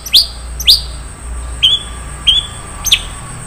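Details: Long-tailed shrike singing in the 'isian mewah' style, a rich song filled with varied phrases: five short, high downslurred chirps spaced about half a second apart, separated by quiet gaps over a low steady hum.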